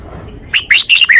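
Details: Red-whiskered bulbul singing a forest-style song: after a quiet start, four bright, loud whistled phrases follow in quick succession, each a short warbled slur, the last falling slightly.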